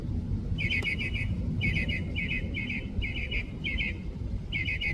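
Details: Mockingbird in San Diego repeating short bursts of three or four rapid high chirps, each burst about half a second apart and repeated many times, with low steady rumble underneath.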